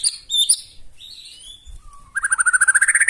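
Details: White-rumped shama with loud challenging song that provokes other birds to sing back: high fluttering whistles and a soft gliding note, then a rapid rising trill of repeated notes lasting about a second.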